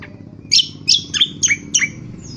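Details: Indonesian honeyeater (Lichmera limbata) giving its rough twitter song, ngriwik kasar, used for training birds: five quick sharp chirps in two seconds, each sliding down from high to lower pitch, over a low background hum.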